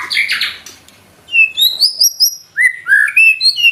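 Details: White-rumped shama delivering gacor nembak song with isian: a harsh noisy burst, a silence, then clear ringing whistles stepping up and down in pitch, each note rich and fluty.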